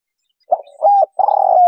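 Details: Spotted dove giving its 'kuk 3' lure call: a short soft note, a level coo, then a long rolling, slightly quavering coo that slides downward and is cut off at the end.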